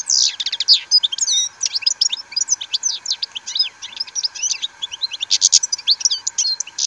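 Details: European goldfinch, bred in captivity, sings during rain with a rapid, tumbling stream of sharp twitters, short trills and buzzy chirps, all bright and high, above a faint constant drone.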